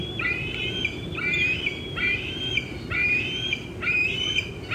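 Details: Young bald eagle squeeing on 25 June 2013 at 4:45 pm while an adult eats a fish in an old tree nearby; thin, whistled squealing notes with slight rises, in four phrases about a second apart over a steady low hum.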